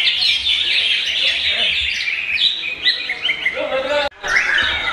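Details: Brisk high twittering song of a young murai during the wait before the Ramadan fast-break; dense bright notes run steadily, with a brief cut near the end before the singing resumes.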